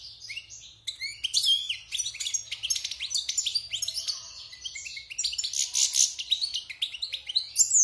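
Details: After a brief quiet start, a caged wild goldfinch, moulted and six months in captivity, pours out loud twittering song, with fast buzzy trills and sharp high chips running to the end.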